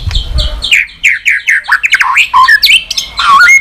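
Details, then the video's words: White-rumped shama giving its clicking song, meant to fire up listless birds and set them tail-flicking. A quick series of short, slurred downward notes, about four per second, breaks into a jumble of bright whistles and sharp trills. "Chòe lửa tạch liên tục.dùng Kích Chòe Lửa yếu lửa,kích bổi nhanh lên lửa hiệu quả,chòe lửa đập đuôi"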